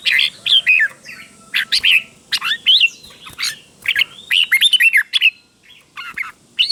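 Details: Red-whiskered bulbul teacher bird, recorded to train caged birds with clear paired double phrases. Rich whistled notes with rising and falling slurs, delivered in short repeated bursts separated by brief quiet spells.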